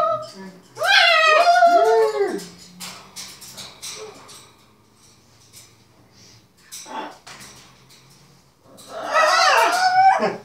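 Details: Two pet macaws playing with their owners indoors: a pair of swooping, arched, harmonic 'wooo' calls, a long quieter stretch with small clicks and rustles, then a harsh, rasping cackle near the end.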